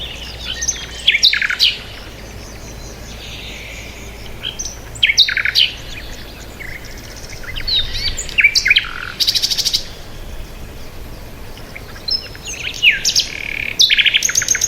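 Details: Several birds chirping outside, scattered high twittering phrases, sharp downslurred notes and occasional dense buzzy bursts, coming in clusters separated by short pauses, with light background hiss.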